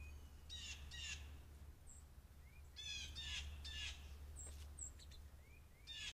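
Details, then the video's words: Blue jays calling all around a deck with a squirrel on the railing, recorded on a trail camera: repeated harsh, buzzy jay notes, several in quick pairs, over a strong low hum, with a few thin high chirps between. "Blue jays calling all around then one comes in for peanuts"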